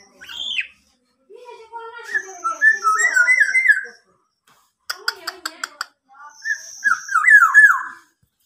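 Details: Local black-naped oriole, fully tame, copying a police car siren. Warbling whistled phrases rise and wobble, interrupted by a series of sharp clicks, and a thin steady high whistle runs alongside parts of the song.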